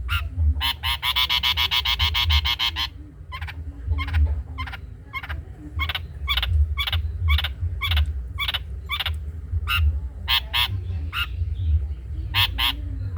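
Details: Long-tailed shrike song in the trotol style, a master recording for other songbirds: a fast, tight burst of repeated rich notes for about two seconds, then steady bursts roughly every half second, low hum behind.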